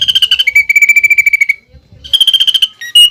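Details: Greater green leafbird singing with a pelatuk bawang filler. Fast, buzzy pulsed trills step down from a higher run to a lower run. A short gap follows, then a high trill resumes and ends in abrupt loud notes.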